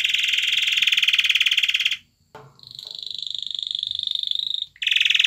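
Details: Male canary performing a mating display for a female, pouring out dense rapid trills: a long rolling phrase, a short break, then a thinner, steadier trill that swells before another rich trill begins.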